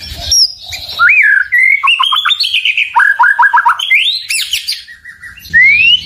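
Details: White-rumped shama (murai batu) song meant to provoke rival birds: a rich, varied run of clear whistles, rising slurs, and rapid repeated downward notes in quick bursts, with a short upslurred whistle at the end.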